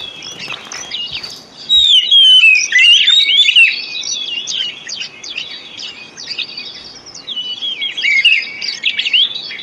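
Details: Oriental magpie-robin lure song, played as therapy for birds that have stopped singing: a varied whistled and trilled warble, loud in the early part and quieter, more scattered later.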